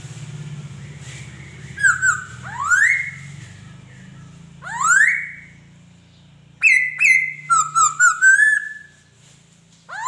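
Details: Laughingthrush singing: loud, clear whistled notes, several sweeping sharply upward, then a quick run of short whistles and a level warbled phrase, over a low steady hum.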